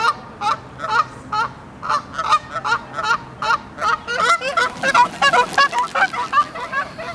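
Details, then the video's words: Canada geese honk extremely loudly before take-off: loud, nasal, two-toned notes, about two or three a second, building into an overlapping chorus as more birds join. "Canada Geese Honking & Taking Off"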